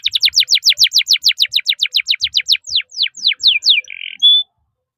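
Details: Canary song in the chirp-and-roll 'cuit cuit ngerol' style, used to train young birds: a rapid volley of high, descending whistled notes that slow toward the end, then a short buzzy note and a clear rising whistle.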